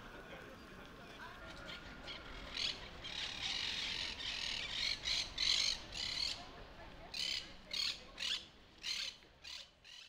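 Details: Monk parakeets (Myiopsitta monachus), an introduced population in Barcelona, Spain, give harsh, grating squawks in quick bursts about every half second over a soft background hum.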